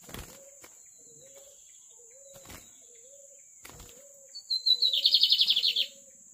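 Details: Lined seedeater, described as a magnata bird. Soft low repeated notes sound about every half second at first, with occasional thumps, before a loud whistled lead-in and a rapid rattling trill close the recording.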